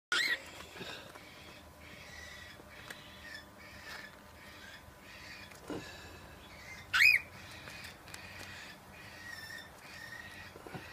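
A cockatiel gives a sharp note at the start and one loud, rising screech midway, with soft, faint chirps repeating about every half second in between.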